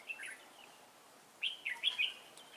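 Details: Red-whiskered bulbul decoy on its first trapping outing, 11 December 2016; a brief liquid phrase, a pause, then a quick run of three chirpy, rising-and-falling notes.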